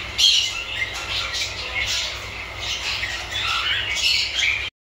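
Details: A butterfly cockatiel gives a run of bright, scratchy chirps and squawks with rising and falling whistled notes.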